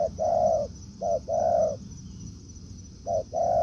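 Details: Spotted dove in a forest, a wild bird meeting a decoy after a week of use; low hollow coos in short-then-long pairs, three pairs with gaps, over a faint steady high-pitched hum.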